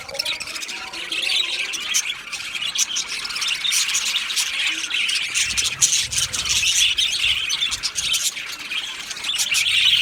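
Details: Male budgerigars massed in an aviary colony, 8 December 2025, give a steady stream of scratchy, high twittering and squawky chirps that grows slightly louder by the end.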